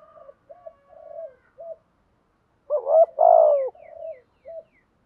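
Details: Spotted dove kept as a decoy bird for training calling gives low cooing phrases, several short soft coos, then a loud burst of emphatic notes after a pause, and more short coos.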